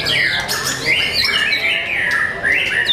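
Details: Young caged white-rumped shama singing: loud, sweeping whistled phrases that slide down and rise again around a steady high band, with a sharp upward flourish near the end and faint overlapping chatter.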